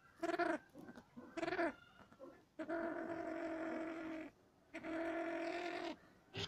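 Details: Bleating calls of Cabot's tragopan: two short nasal bleats, then two long, level, goat-like wails of well over a second each, separated by brief pauses.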